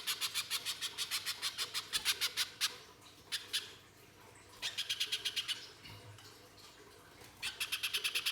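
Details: Little spiderhunter in loud harsh shooting song, played to lure spiderhunters into singing: several bursts of fast, rough, buzzy notes separated by quiet gaps of one to two seconds.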